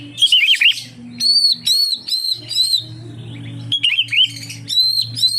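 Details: Oriental magpie-robin song played to lure other magpie-robins: wavering warbled phrases alternating with long level whistles, repeated in a similar sequence, over a faint low hum.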